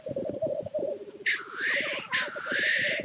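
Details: Male black grouse lek display, a rapid pulsing bubble of low cooing notes overlaid by two long, rushing, rising hisses in the second half.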